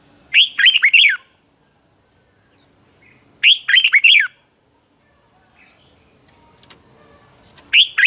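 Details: Red-whiskered bulbul fighting song for training birds to sing in the morning: loud phrases of rapid whistled notes repeated about every three seconds, clean background.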